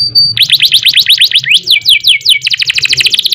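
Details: Canary singing nembak-style: a thin high whistle, then fast rising-and-falling whistled sweeps, long downward slurs, and a quick bright repeated trill to the end.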